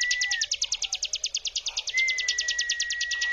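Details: Prinia, the ciblek gunung, in a 'brem' lure trill meant to excite other prinias into answering: rapid, regular, high buzzy pulses running unbroken, with a faint pure whistled tone underneath at start and end.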